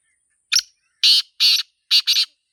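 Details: A black francolin (Sindhi teetar) calling in a natural environment gives its harsh, grating phrase: a short clipped note, two rasping notes, then a quick scratchy double, with no other sounds.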